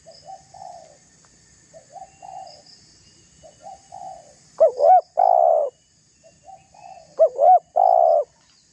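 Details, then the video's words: Spotted dove provoking a rival, used as a lure: faint repeated coos of a distant dove, then two loud phrases of paired upswept notes and a long rolling coo. "Suara tekukur GACOR merayu lawan agar terpancing emosi"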